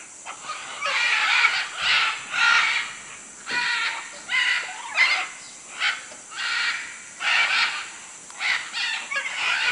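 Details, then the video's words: Macaws in Manu, Peru, uttering about a dozen harsh, croaking squawks in an irregular series, some in quick pairs, with a couple of dull thuds in the background. "Guacamayos Manu Perú"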